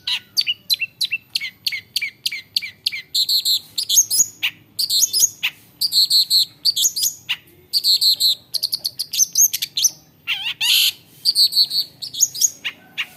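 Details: Long-tailed shrike (cendet), noted for copying the calls of many other birds, singing loudly: a run of quick sharp descending chips, then varied bursts of high chattering, buzzy and whistled phrases, with a slurred rising-falling note near the end.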